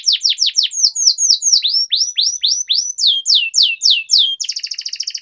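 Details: Canary tutor song with long rolls: a steady series of clear downward-sweeping whistled notes, some hooked, followed by a rapid rolling trill at the end.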